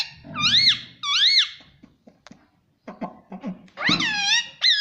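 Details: Pet parrot in a small room repeating loud rising-and-falling harmonic squawks, two close together, a pause with low rumbling and short chatter, then a longer burst of squawks.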